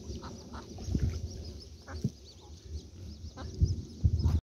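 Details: Ducks calling: short nasal quacks come in small bursts near the start, around the two-second mark and again near the end, over a constant low rumble of background noise.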